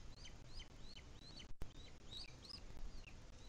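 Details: At a webcam nest in Spain's Sierra de Guadarrama, a Booted Eagle adult still feeds its chick during the 2021 breeding season; short, high, slightly rising chirps come in a rapid series above low background hum.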